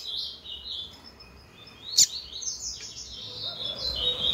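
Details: Female double-collared seedeater calling a lot, gives thin, high chirps and short sliding notes in quick succession, with a sharp click partway through.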